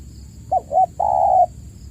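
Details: Spotted dove lure call, used to prompt caged cooing doves that have stopped calling. One phrase: two short clipped notes, then a long, steady, mellow coo. A faint thin high hum runs throughout.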